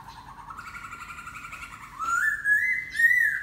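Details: A singing laughingthrush gives a long, soft whistled note that slowly rises, then switches to louder, looping whistled phrases.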